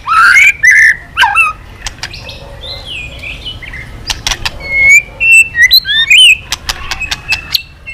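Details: White-rumped shama pushed into varied song with constant tail beating: bright slurred whistles at the start, a quieter stretch with clicks, then renewed short whistled notes mixed with sharp ticks.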